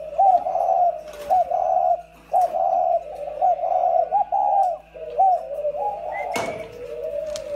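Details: Pair of decoy spotted doves giving a stream of throaty cooing phrases, each starting with a short upward lift then a held mellow tone, about one phrase per second, with occasional sharp clicks and a thin high squeak near the end.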